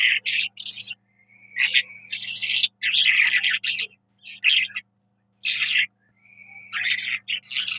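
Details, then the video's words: Jal mashadi, the Eurasian skylark, singing in bursts of trilled, rasping notes broken by thin sustained whistles and short silences, bright and high, with a low background hum. "جل مشھدی کی پیاری آواز ۔ Sky Lark bird beautiful Voice. Jal Mashadi."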